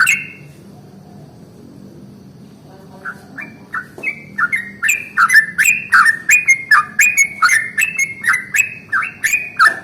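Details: A yellow-vented bulbul gives its long rolling morning song, meant to set other bulbuls singing. After a brief opening note and a few quiet seconds, soft notes build into a fast, loud run of bubbly phrases.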